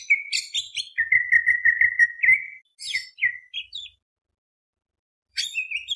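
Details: Greater green leafbird, used as a lure to provoke other birds, sings loud, varied phrases: sharp high chips, then a fast rolling trill of repeated notes, a few slurred whistles, a pause, and more chirps.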